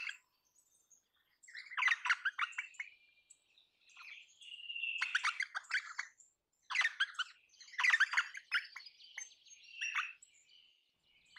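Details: Crimson rosella (Platycercus elegans), a parrot, calls in loud bursts of harsh, buzzy chatter mixed with a drawn-out whistled tone. Four main outbursts are separated by short gaps.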